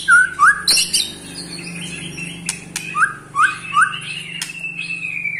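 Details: An 8-month-old white-rumped shama gives quick, upward-flicking notes in scattered bursts with harsh ticking clicks over a faint indoor hum.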